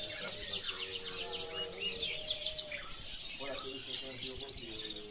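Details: European goldfinch singing a busy, tinkling stream of high chirps and short buzzy trills, over a run of low, steady tonal notes in the background.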